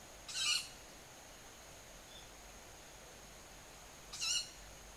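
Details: Owls passing above a home garden at dusk in early summer, 20 July around 19:40, about five birds; two short, harsh, high-pitched screeches with bright harmonic bands, roughly four seconds apart, over quiet hiss.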